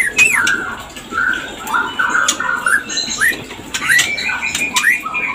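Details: White-rumped shama giving a mating call used to stir breeding condition: loud whistles with sharp upward slides, short clear phrases separated by brief pauses, and occasional harsh clicks.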